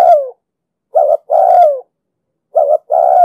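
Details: Spotted dove cooing in the 'đồng sấm' style, a recording for luring and training trapped birds. The tail of one sliding coo is followed by two full phrases of a short twin hoot and a long, mellow, falling note, in a quiet setting.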